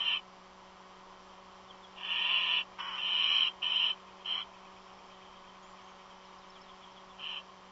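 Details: Unknown bird calling from a nest, said not to be an eagle: a cluster of rough, raspy hissing bursts midway, then two short shrieks and a long quiet stretch with a low hum.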